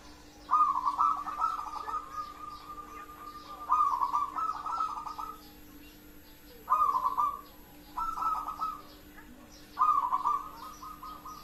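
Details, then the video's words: Local zebra dove delivering repeated song phrases, about five in eleven seconds, each a rapid stuttered trill of soft coos running into a sustained mid-pitched note, with a faint steady hum behind. "perkutut lokal"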